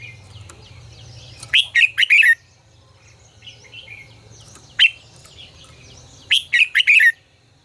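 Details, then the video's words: Red-whiskered bulbul in 'ché căng lửa' song, a lure recording for training birds to sing: a quick run of clear whistled notes, a lone sharp note mid-way, then another fast bubbling phrase, over a faint low hum. "Luyện giọng cho chào mào hót hay -Ché căng lửa cực phê, chào mào hót quá phê"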